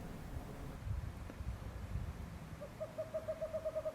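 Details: At night, a Western Screech-Owl gives a quick run of about ten mellow, evenly pitched toots near the end, each about an eighth of a second apart, over low wind rumble.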